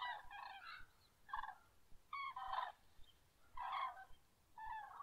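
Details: Several common cranes trumpet at dawn in separate loud bursts about once a second, each a harsh, rolling bugle, with brief quiet gaps between the bursts.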